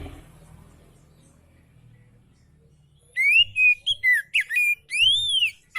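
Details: Oriental magpie-robin (kacer) giving relaxed song, used as a tutor recording for magpie-robins that are lazy to sing; quiet for three seconds, then loud clear whistled phrases, rising and falling slurs and arched notes in quick succession.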